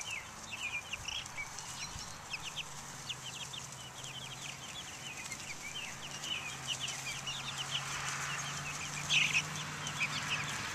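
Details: Buff Orpington, Black Australorp and Americana chicks outdoors in 2010, high thin peeps scattered through the first half and thinning later, over a steady low hum and background noise.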